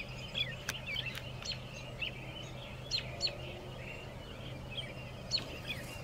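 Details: American robin singing near dusk from atop a pile of railroad ties beside a railway in Shiloh, Illinois, 6 April 2024; short warbled phrases among other bird chirps, with a steady low hum underneath.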